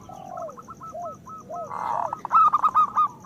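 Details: Zebra Dove singing as a breeding-stimulation lure: soft descending coos repeat about twice a second, a brief rough burst follows, then a loud rapid stuttering run of cooing notes.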